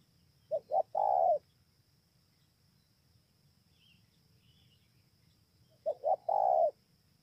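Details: Spotted dove at Bờ Y, Kon Tum, Vietnam, recorded 28 November 2017: two low cooing phrases, each two quick short notes then one long hollow coo, separated by about five seconds of quiet with faint background hum.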